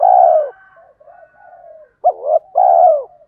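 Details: Male and female spotted doves cooing to stimulate trained birds. A long rolling coo trails into soft murmurs, then a short wavering note and another drawn-out coo.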